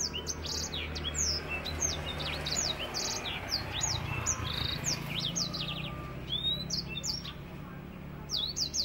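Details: An African finch delivers a vigorous, tightly packed song in the 'nembak rapet' manner for tutoring birds: strings of sharp descending high whistles over a noticeable low rumbling background.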